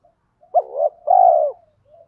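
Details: Spotted dove lure, 'thổ pha' voice with rapid 'thúc gù', used to provoke wild birds to coo back: one hoarse double note followed by a long, steady, slightly falling coo, with soft murmurs at the edges.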